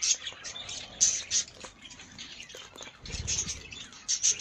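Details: Colour-variety Budgerigars in an aviary chatter in a continuous jumble of high, scratchy chirps and squeaky notes, with brief low rustling and thumps.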